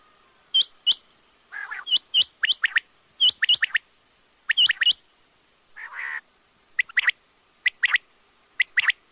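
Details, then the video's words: Quail (batair) calling in rapid paired and tripled sharp whistles, broken by two short rasping buzzy notes, with steady bursts throughout. "batair ki awaz|quail sounds"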